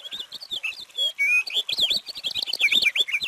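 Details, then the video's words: Purple finch pouring out a continuous, lively warble, fast rising and falling whistled notes run together with hardly a pause for over three seconds. "Canto del Camachuelo Purpúreo"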